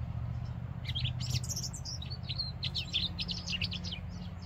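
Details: Song of a European robin by the Adige river in Vallagarina, Trentino: a lively run of high, sharp tinkling notes and quick descending trills, steadily delivered, with a constant low rumble of flowing water or wind underneath.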